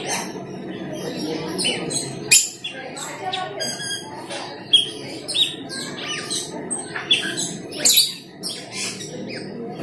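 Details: Cucak keling, also called perling, used as a lure for the same bird: bursts of sharp, varied chirps and squawky notes with irregular spacing, loudest near two and eight seconds, over a steady background murmur.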